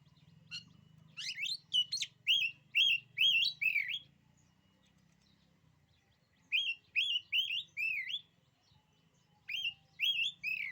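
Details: Oriental magpie-robin song in bursts of loud whistled, rising and falling notes between about 2 and 4k, repeated roughly twice a second, with a quiet pause mid-way and a low hum beneath.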